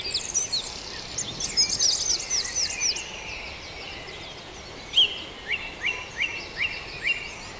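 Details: Dawn bird chorus at Farndale: a busy tangle of high twittering notes at first, then one clear singer repeating a short, sharp whistled note about every half second against a quiet hiss.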